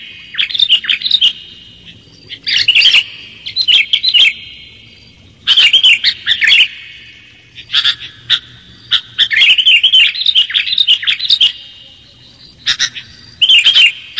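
Sooty-headed Bulbul giving bright, bubbly whistled phrases, each about half a second long, repeated in quick bursts every one to two seconds over a quiet background.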